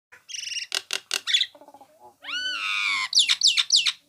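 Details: Nias hill myna in a recording used to train songbirds: harmonic whistled notes, a rapid buzzy series, short low clucks, then a long rising tone with stacked overtones and a closing run of sharp squawky phrases.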